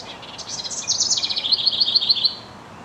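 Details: House wren singing to his mate: a bubbling, rapid jumble of high notes that drops into a run of six evenly spaced trilled bursts, each about a fifth of a second apart, fading out at the end.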